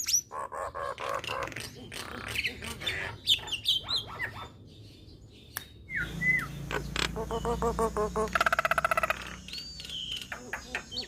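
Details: Nias hill myna in full song, a busy jumble of harsh squawks, short whistles and clicks. A fast burst of rapid stuttered notes comes near the end, with a low rumble of background noise from midway.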